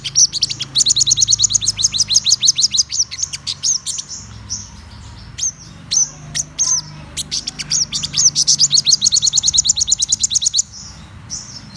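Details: Black-throated sunbird, described as a top-class bird, giving long runs of rapid, high, evenly spaced chips that form trills, broken by a pause with a few sharp notes before the trill resumes.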